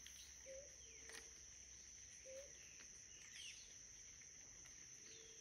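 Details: Blue ground dove (Claravis pretiosa) at La Bramadora wetland, Sopetrán, Antioquia, Colombia, on 17 September 2023. Short, low, soft hooting notes sound a few times. A steady high insect drone runs throughout, with faint thin chirps from other birds.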